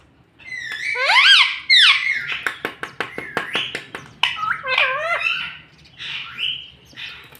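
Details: Talking pet parrot known for saying mummy, papa and mitthu; loud swooping word-like phrases, then a rapid series of sharp clicks, then more wavering, voice-like syllables.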